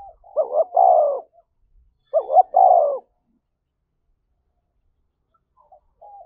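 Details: Cooing spotted dove goading a rival to fight, two low phrases about a second apart, each a pair of quick rising notes and a drawn-out falling coo, then quiet with faint soft notes.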